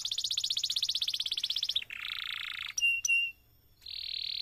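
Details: Vigorous long canary song used as a training model for other canaries: a rapid high trill, then a lower buzzy rolling phrase, two sharp whistled notes, a brief pause and a steady buzzing tour.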